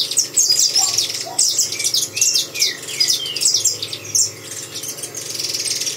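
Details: A saffron finch song of bright, high chirps in quick clusters, mixed with a few lower downslurred whistles, easing into softer hissy notes toward the end.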